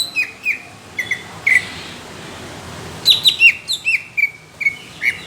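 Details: Greater green leafbird singing what is described as judge-worthy coarse, thick bursts: sharp chirped notes and short downslurred whistles in clusters, with a pause in the middle, then a faster run of bright, clipped notes.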